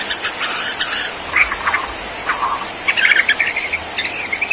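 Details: Borneo white-rumped shama in bowing 'sujud' display: scattered high ticking notes, brief whistles, then a dense twittering burst and a high buzzy phrase toward the close.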